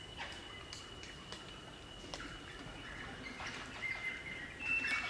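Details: Crimson Rosellas in a group in Australian bush at Barrington Tops National Park, New South Wales, chattering and singing: a long steady whistled tone, scattered sharp squeaky clicks, then brighter whistled notes and louder chatter building toward the end.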